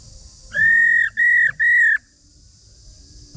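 A female Chinese hwamei gives three long, level whistles in quick succession, each lasting about half a second, over a steady high hiss.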